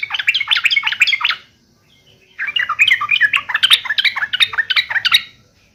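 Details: Yellow-vented bulbul fighting call used to provoke other bulbuls to reply: two dense bursts of harsh, bubbly chattering notes, about a second and three seconds long, separated by a brief pause.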